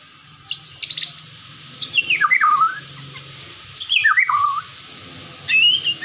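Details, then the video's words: White-rumped shama (murai batu) singing three rich phrases, each about a second long and set apart by pauses, made of slurred, descending whistles that break into quick chattering notes, over a steady background hiss. "dengar suara merdu MURAI ini"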